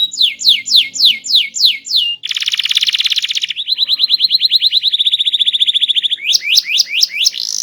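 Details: Canary with a small body and a loud, melodious, varied song, singing actively: a run of repeated descending whistled notes, then a dense buzzy trill, a rapid rattling trill, and finally rising sweeping notes.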